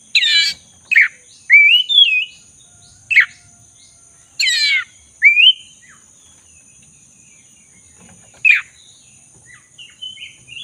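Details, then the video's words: Black-throated magpie-robin singing prolifically, used as a lure to restore magpie-robins that have stopped singing: scattered bursts of scratchy notes and rising whistled slurs separated by pauses, over a steady high electronic tone. "Pancingan kacer dada hitam gacor - pulihkan kacer macet bunyi"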